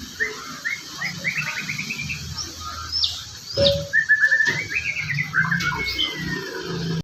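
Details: Magpie-robin singing: runs of quick repeated chirping notes, a high sweeping whistle and a long slurred whistled phrase, against constant hiss and low background rumble.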